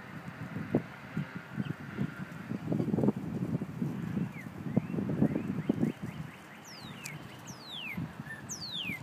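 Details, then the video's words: Northern cardinals calling to each other: fainter quick repeated notes, then three loud, steeply falling whistles near the end, over heavy low rumbling and thumping noise. "Cardinals calling each other"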